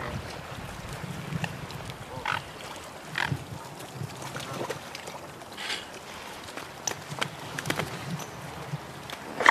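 Mute swans give low, grunting snorts and short breathy bursts, scattered every second or two over a soft, steady outdoor hum.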